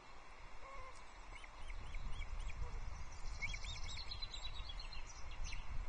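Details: Osprey family at a Loch Arkaig nest, 22 June 2024, male arriving with a second fish, a small trout, for the chicks. Short upslurred whistles early, then a fast chattering series of high chirps, against low rumbling noise.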